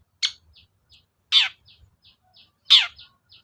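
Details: Long-tailed shrike lure sound: three loud, harsh, descending rasping notes about every 1.3 seconds, with faint short ticking notes between them.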